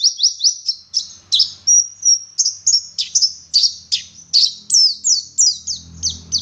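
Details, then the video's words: Local West Java white-eye (dakun Garut) in gacor song, the wit wit and ngeriwik style: sharp, high, falling chirped whistles repeated in a fast, slightly uneven stream, with a faint low hum in the background. "Burung Pleci Gacor Ngalas Wit Wit Sambung Ngeriwik Full Isian"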